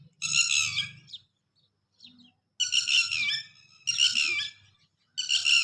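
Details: Loud, piercing calls from a red-wattled lapwing protecting its chicks come in four bursts of harsh, stacked, repeated notes roughly every one to two seconds, against a quiet low background murmur.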